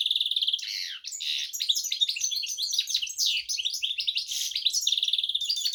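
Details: Goldfinch x canary mule giving an unbroken, energetic warbling song, loud slurred whistles mixed with rattling trills and quick chirps throughout.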